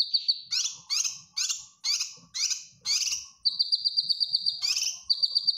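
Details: Cucak kinoy bulbul master song for caged-bird training: a string of six harsh, scratchy bursts about half a second apart, then a long high rapid trill with another rasping burst midway.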